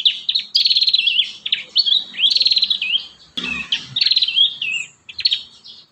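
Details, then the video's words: Prinia song meant to train young birds to sing: continuous high, rapidly pulsed trills and sliding chirps, phrase after phrase with barely a pause, one brief click midway. "Masteran | pancingan burung prenjak muda | prenjak bakalan"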